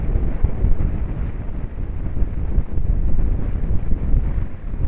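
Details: Loud buffeting wind on the microphone fills the recording, with no animal calls audible.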